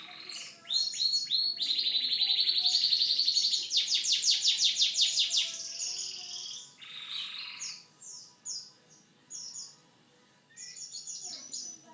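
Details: Canary singing a long, varied song: a sustained buzzy high trill, then a fast run of evenly pulsed notes, breaking into separate sharp chirps and quick whistled slurs with short pauses between phrases.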